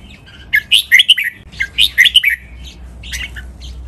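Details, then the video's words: Red-whiskered bulbul song in the Pa La-u style, used to train captive birds to copy: two lively phrases of fast, bright, warbled whistles, then a softer echoing phrase, with a faint low hum throughout. "นกกรงหัวจุก | รวมเสียงร้องเบิ้ล 23 นับดอก แม่บท ลากหวาย เพลงป่าละอู คมชัด 100% ไว้ก็อปนก"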